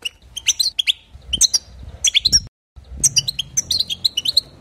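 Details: European goldfinch singing to stir other goldfinches: three quick bursts of bright, ringing chirps and buzzy notes, a short silence, then a longer lively twittering phrase.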